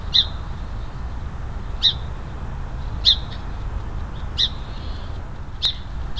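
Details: A Song Sparrow scolds a bobcat near a trail cam in Oregon's Willamette Valley, giving five sharp, high chip notes about one per second over a steady low rumble of outdoor noise.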